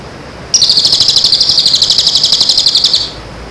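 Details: Song for training birds in and after moult: one continuous high buzzy trill of quick regular pulses, about four per second, lasting some two and a half seconds before fading out.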